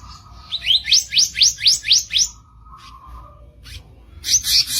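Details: Kicap ranting bird giving a rough masteran song: a fast run of about eight sharp rising whistled upsweeps, roughly four per second, then a steady low tone and a closing burst of bright high notes.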